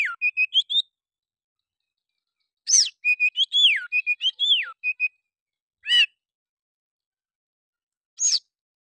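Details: Oriental magpie-robin's provoking fighter song, said to make other birds fan their tails: quick steady whistled notes, a longer phrase with falling slurs, then a few isolated harsh buzzy notes spaced apart.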